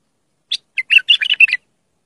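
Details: Bulbul giving one compact song phrase for tutoring young birds: a bright opening note, then a rapid sequence of around seven liquid chirps within a second, silence around it.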